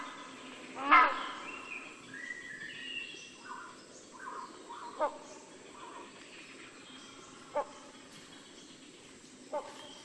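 A rhinoceros hornbill gives one loud, harsh honking call, then a few shorter, fainter honks several seconds apart. Softer calls from other birds sound in the background.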